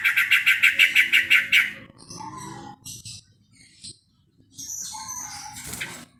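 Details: Sooty-headed bulbul calling to other bulbuls: a run of about eight quick, bubbly chirps, then scattered softer notes, a pause, and a final burst of higher chattering calls.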